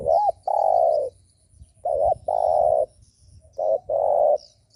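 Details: Cooing spotted dove, a lure call meant to provoke other doves: three phrases, each a short looped note then a long, throaty, low coo, repeating about every one and a half seconds, with faint bird chirps above.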